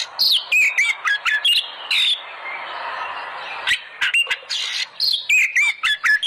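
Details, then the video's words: Oriental magpie-robin song as a lure to make kept birds sing: quick clusters of loud chips and downslurred whistles, a brief hissing pause, then more rapid whistled phrases. "pancingan burung Kacer agar gacor"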